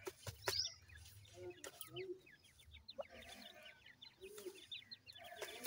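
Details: Clear strings of thin, downward-sliding peeps from francolin (teetar) chicks, given in rapid series, with some low thumps and clicks around them.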